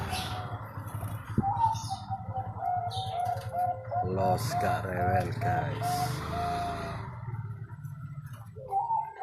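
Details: Competition zebra dove with a prize record, from Sidoarjo, East Java, giving its cooing song: a run of rapid, rolling low coos in the middle, framed by steady tones, with background music and a low hum.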